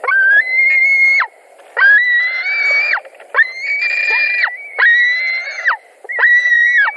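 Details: At a White-tailed eagle nest in Latvia on 17 July 2020 around 22:00, during a fish delivery contested by the two adults, a White-tailed eagle gives five drawn-out, wheezy whistled calls, each about a second long, rising slightly then dropping sharply.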